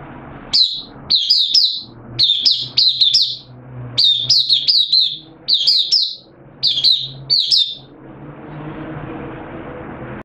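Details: Caged oriental white-eye (mata puteh) kept as a hobby songbird, recorded 8 September 2022 while opening into song, its form said to have dipped slightly: rapid high twittering phrases in short clustered bursts, about seven over eight seconds, then low room hum.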